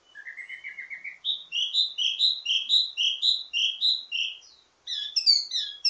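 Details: Wambi mini, an Indonesian songbird, singing a ledekan teasing song full of variations, used to train others of its kind: low rising notes at first, then a fast run of high repeated whistled chirps, a short pause, and buzzy mixed phrases.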